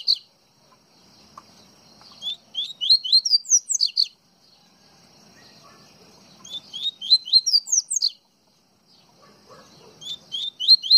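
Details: Repeated song of a coleiro baiano (double-collared seedeater) from Pernambuco: three phrases of fast rising slurred notes, each climbing into a burst of high piercing tones before pausing.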